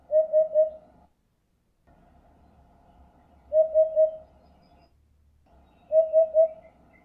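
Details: Hoopoe calling a mellow, low-pitched 'oop-oop-oop', three even hoots close together, repeated as three series about every two and a half seconds against near silence.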